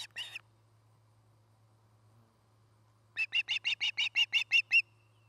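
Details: One of an osprey pair at a nest in Charlo, Montana, September 2018: a brief chirp burst, a long silent gap, then a quick sequence of a dozen sharp, evenly paced piping chirps, with a steady background hum.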